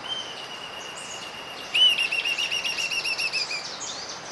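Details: Panama flycatcher (Myiarchus panamensis) call: a clear whistled note, then a series of rapid, slightly falling whistled notes for about two seconds, with a faint whistle running beneath from the start.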